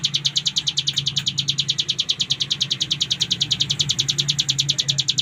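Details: Bar-winged prinia known as cigun delivering a fast ngebren trill: high, sharp notes repeated in a tight, rhythmic run, slightly uneven in loudness, with a noticeable low hum beneath.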